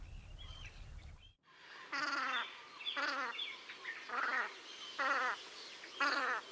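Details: Velvet scoter at Liepāja, Latvia, in March 2024: a low rumble and a brief bump, then a series of rasping, buzzy grating calls, each about half a second long and repeated roughly once a second.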